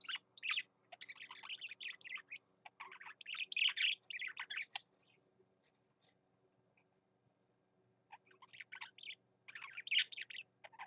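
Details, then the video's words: Male pet budgie singing with gusto, bursts of scratchy chattering warble and squeaks, then a quiet pause of about three seconds before the chatter resumes. "Parakeet BB singing his heart out"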